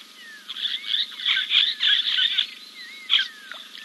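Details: Giant kingfisher preening after a dip at King's Camp, filmed by live camera on 2 April 2024; harsh, rasping notes run together in a fast rattling burst, then one lone note, over a steady high hum.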